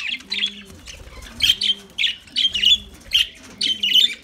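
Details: Lovebird song made of bright, piercing chirp clusters about every half second, with faint low hooting coos behind.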